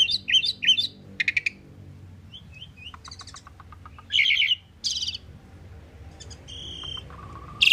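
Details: Common pied myna song, a varied medley of harsh chirps, rapid clicking rattles, short whistled notes and a low steady whistle, delivered in separate bursts against a quiet background.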